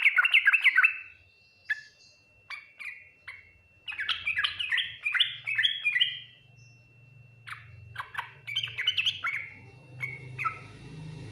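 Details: Yellow-vented bulbul giving the 'ngriwik nguplik tuklik-tuklik' song, said to prompt fast responses from other bulbuls: rapid chattering, liquid phrases with scattered single chips, a steady low engine-like hum underneath in the second half.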